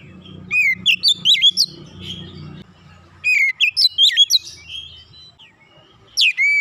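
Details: Oriental magpie-robin singing in a fast, dense 'nembak rapat' style: two bursts of looping whistled notes that swoop up and down, with quick chirps between, then a third phrase starting near the end; a low hum underneath during the opening.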